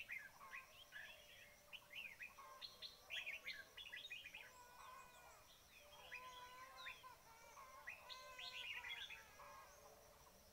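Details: Red-whiskered bulbuls heard during bird trapping, as a lure: dense, overlapping chirps and liquid whistled phrases in rapid bursts, with some longer slurred notes running beneath throughout.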